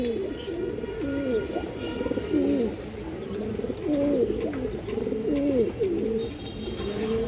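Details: Caged domestic Kaldom pigeons at a seller's, where fright in the cage keeps many from calling. The clip carries a steady run of low, warbling rolling coos that rise and fall in repeated phrases, with faint voices in the background.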